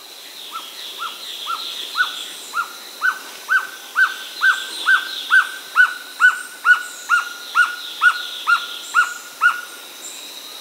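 Gartered trogon giving a long, steady series of about twenty hollow, mellow cow notes, roughly two per second, with a faint high hum of insects behind.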